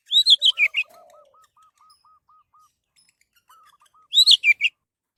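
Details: Orange-headed thrush song played as a lure to make other birds sing: two bursts of quick, slurred whistled notes, separated by a quiet gap holding a soft low hum and a faint, evenly repeated ticking series.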